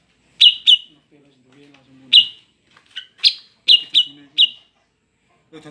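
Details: Breeding-condition female greater green leafbird, used to attract males, uttering spaced sharp buzzy chips, some doubled, with soft low chirps in between.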